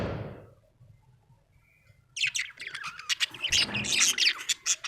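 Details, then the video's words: Happy budgerigar chirping: after a quiet start with a fading noise, a dense run of high, scratchy chirps and warbles begins and continues to the end. "Happy budgie chirping sound"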